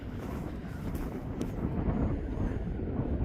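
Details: Steady low rumble of a passing vehicle or aircraft mixed with wind buffeting the microphone, with no animal calls audible.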